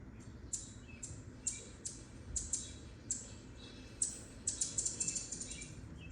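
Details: Anna's hummingbird in a city, probably defending its territory and chasing another away, giving sharp, very high chips, single or in quick runs, about a dozen over six seconds, over a low steady rumble.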